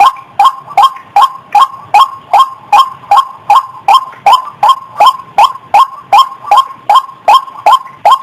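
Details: White-breasted waterhen calls played to lure birds out of bushes: a long, even series of harsh, nasal rising notes, more than twenty in eight seconds, delivered in a fast and very regular rhythm.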